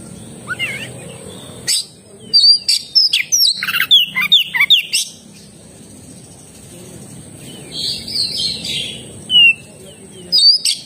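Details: Oriental magpie-robin (kacer) singing intermittent phrases of sharp chirps and downslurred whistles, separated by quieter stretches with faint background hiss.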